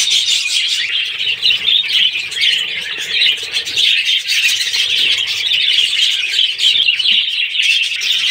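Young budgerigars chatter in a dense, steady chorus of high, scratchy chirps and twitters.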